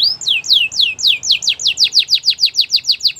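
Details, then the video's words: Singing white canary in a training song, delivering a steady rhythmic tour of about fifteen sharply descending whistled slurs, each repeated roughly five times a second. "Canary training song | White canary singing with beautiful melodies"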